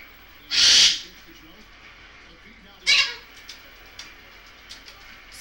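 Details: Goffin's cockatoo, a pet, playing: one loud harsh screech, then a shorter rasping one about two seconds later, followed by faint clicks.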